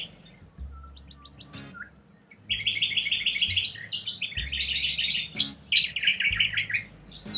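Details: Wild corellas in Australia, a flock producing rapid strings of harsh, chattering high notes, several birds overlapping, over a low background hum.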